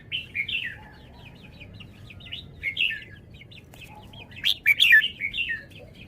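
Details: Red-whiskered bulbul song: steady soft chattering twitters, then a loud, rapid flourish of several bright whistled notes late on, trailing into quieter warbling.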